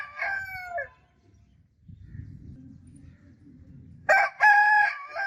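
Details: Rooster crowing: a harmonic crow lasting under a second, then a low rumbling pause, then a second, louder crow that begins near the fourth second and breaks into strong pulsed phrases.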